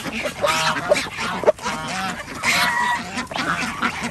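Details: Farm ducks at feeding time on a village organic duck farm in Andhra Pradesh, kept alongside chickens and geese; overlapping nasal, harmonic quacks in short bursts, several birds calling at once, with a few sharp knocks and clatter.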